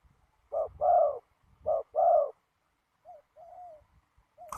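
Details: Spotted dove calling at a ground decoy trap on a windy day: two loud paired coos, each a short note and a longer throaty one, then softer, fainter coos trailing off.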